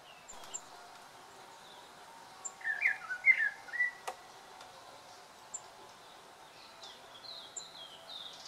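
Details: Chorister robin-chat parent calling near its nest while bringing food to nestlings in a KwaZulu-Natal garden, South Africa: a brief burst of warbled, mid-pitched notes over about a second and a half, then a few thin, higher notes over quiet hiss.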